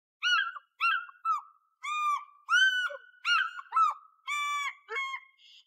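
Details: African fish eagle calling for its partner: a loud series of ringing, yelping notes, each arched and rich in overtones, given in uneven bursts of about nine calls over several seconds, with no other sounds.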